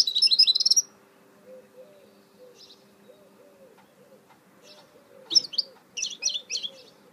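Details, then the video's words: Goldfinch hybrid mule delivers a brief burst of rapid high twittering, then goes quiet with faint chips. Further jangling twittered phrases follow, over a background of gentle repeated low cooing notes and hum. "Chant mulet chardonneret تغريد هجين الحسون"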